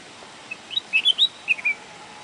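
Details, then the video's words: Red-whiskered bulbul giving a quick burst of bright, liquid chirps, about six short notes in under a second, over a soft background hiss. "red whiskered bulbul"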